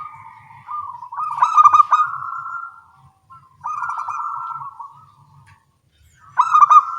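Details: Local zebra doves calling back and forth at dawn, singing eagerly: stuttering, accented trills that run into long level coos, with phrases separated by gaps of about a second or two.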